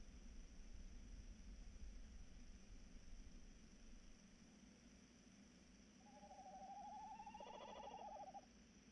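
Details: Night recording of a tawny owl, 3 March 2018, about 21:14: after several seconds of quiet hum, a single vibrating, wavering hoot lasting over two seconds, rising slightly then holding, with faint overtones.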